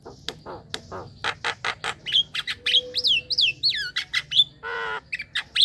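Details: Javan myna singing actively, a lure for young and untrained mynas: harsh rasping notes and clicks followed by a run of squeaky, up-and-down whistled notes and one loud nasal squawk.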